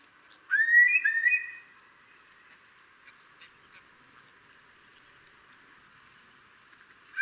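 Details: Eurasian curlew, filmed at a distance: two quick, rising whistled notes, clear and fluty, followed by several seconds of quiet background hiss.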